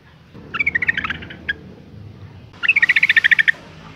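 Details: Female yellow-vented bulbul (trucuk) in breeding condition, calling to attract males: two bursts of rapid, bubbly chattering notes, each lasting about a second, separated by a short pause, over a low steady background hum.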